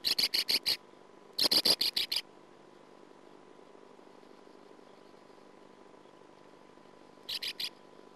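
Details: Sand martin at the nest, picked up by a nest camera in 2009: two quick runs of harsh, dry rasping notes near the start, then a long quiet stretch with a steady electrical hum, and a brief final burst of rasps.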